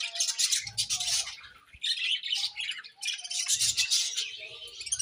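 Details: Morning feeding among pet budgies: two long surges of loud, raspy high chatter separated by a brief lull, with soft low bumps underneath.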